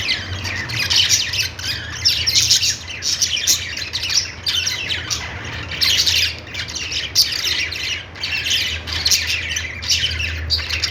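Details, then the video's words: Budgies singing together: dense, continuous warbling chatter of squawks and quick chirps, bursts rising and falling every second or so, over a steady low hum. "Budgies singing |budgies sounds | parakeet chirping sounds"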